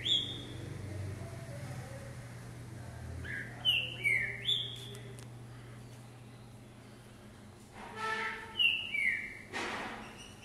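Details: Green-winged saltator singing while hopping on a perch for stamina training: several whistled, down-slurred phrases in short bursts, with wing or cage noise clicks and a low background hum.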